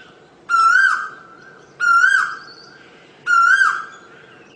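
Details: Asian koel calling with strong whistled notes that rise and then fall away at the end, three notes spaced roughly one and a half seconds apart, with little else heard.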